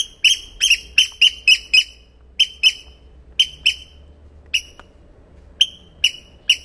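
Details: Newly hatched Eurasian oystercatcher chicks at Getterön, 13 May, early morning, one still breaking out of its egg. The clip opens with a quick burst of five sharp piping peeps, then gives scattered single and paired peeps over a faint low hum.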